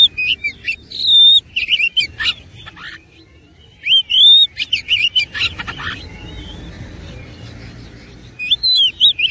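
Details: Oriental magpie-robin (kacer) in fighting mode, singing persistently with a rich fill of varied phrases. Bursts of slurred whistles and harsh chattering notes come in dense clusters, with quiet gaps near the middle and before the end. A faint low hum runs underneath.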